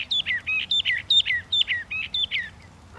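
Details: Northern mockingbird repeating one slurred, squeaky two-part phrase about seven times in quick succession, loud and clear.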